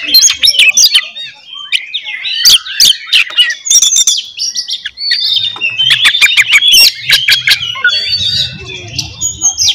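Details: Oriental magpie-robin fighting song to provoke rivals: varied, energetic phrases of chips, whistles and harsh rattles in bursts, with brief pauses around two and five seconds and faint low hum.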